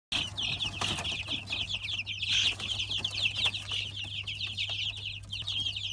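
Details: Three-week-old Light Brahma chicks, a brood hatched in 2017, peeping together in a dense, continuous chorus of short high cheeps, with a steady low electrical hum underneath and a few soft wing-flutter noises.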